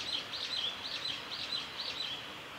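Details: A male blue-and-white flycatcher sings on Kanazawa forest road at Lake Miyagase, Japan, 3 May 2020: high, looping whistled notes that rise and fall, repeated about twice a second over faint outdoor background noise.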